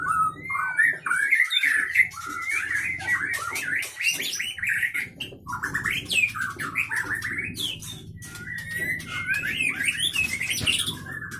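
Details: Captive White-rumped shama from Pining, Leuser, Gayo Lues, Aceh, a sharp-voiced mimic with long breath; rich sequence of warbled whistles and rapid clicks, broken by short pauses, then renewed bursts.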